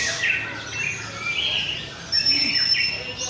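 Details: White-rumped shama (murai batu) singing at a bird contest in North Jakarta, Indonesia: loud whistled phrases with rising and falling sweeps, a steady high whine, and other birds overlapping faintly.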